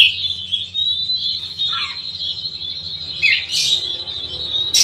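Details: Close, loud oriental magpie-robin song: continuous fast high twittering and chattering, a few lower squeaky notes and sharp bursts toward the end, with a faint low background hum.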